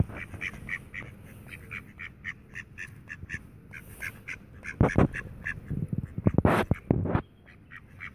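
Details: Tame mallards in the Friedrich Ebert Park, Ludwigshafen am Rhein, Germany, give rapid runs of short nasal quacks. Loud broadband rustling and splashing bursts break in around the fifth to seventh seconds.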